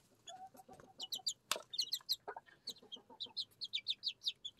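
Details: Six Araucana and Leghorn chicks kept at home, eating and drinking: high thin peeps in quick runs, with soft pecking taps and a sharp click.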